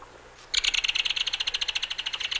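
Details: Loud, dry, mechanical rattle of a Belted Kingfisher, a fast string of harsh clicking notes that begins abruptly and runs for about two seconds.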